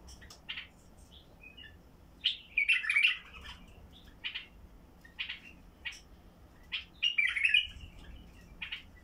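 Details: Basra bulbul (white-eared bulbul) singing with a heavy-throated voice, used to prompt silent bulbuls to start singing: short bright chirps repeated at intervals, with two louder chattering, warbling bursts near the middle and the end, against low room hum.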